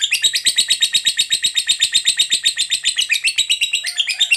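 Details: Long ngekek chatter of a fighter lovebird, played to stir other lovebirds: fast, even, high-pitched rattling notes pouring out without pause, ending in a slightly lower twittering flourish.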